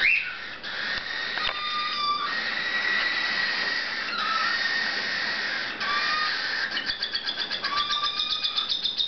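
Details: Three dominant silver cockatiel chicks being fed by their parents keep up a harsh, raspy begging buzz that turns into rapid pulses, with short whistles over it.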